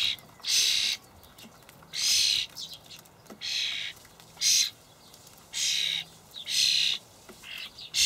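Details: Common starling young in a Hamburg allotment garden on 28 May 2012, fed dried buffalo worms by adults: strong grating hisses of about half a second, repeated roughly every second, with brief chirps between.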